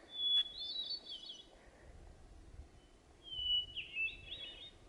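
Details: Possibly a hermit thrush, heard on the Pacific Crest Trail, sings two flute-like phrases about three seconds apart, each a long pure whistle followed by a fluttering, echoing tumble of higher notes, over faint wind.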